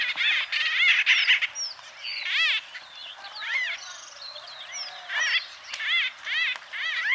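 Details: A group of White-fronted bee-eaters in Kenya giving loud chattering calls: repeated arched, slightly nasal notes in quick bursts, many birds overlapping, with short pauses between the louder outbursts.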